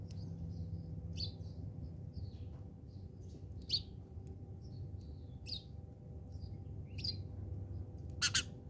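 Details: House sparrows fighting in South Africa: short, high, sharp chirps at irregular intervals, some faint and some louder, with a steady low hum underneath.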